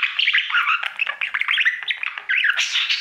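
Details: Pet budgerigar, a male, warbling continuously at his mirror: fast run of squeaky chirps, slurred whistles and grating notes with no break.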